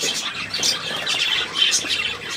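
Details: Budgerigar on 3 April 2017: scratchy squawks and shrill chirps tumbling together in a rapid, uneven chatter that barely pauses.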